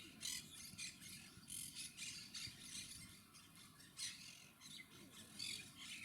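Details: Several Monk Parakeets, also called Quaker Parrots, recorded with a Panasonic HC-WXF990 camcorder, giving a busy stream of short, shrill, scratchy squawks that overlap continuously, with low rumbling background noise.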